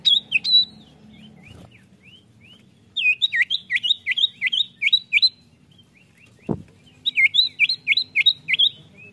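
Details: Common iora song, used to lure caged birds: two bursts of rapid, evenly repeated whistled notes, each with an upward flick, separated by quiet soft whistles and a single dull knock, over a low background hum.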